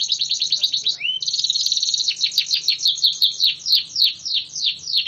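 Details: AF canary, a caged bird trained through regular flight sessions to lengthen its song, delivering rapid buzzy high trills that open with a rising whistle, then a long run of descending chirped notes repeated about three per second.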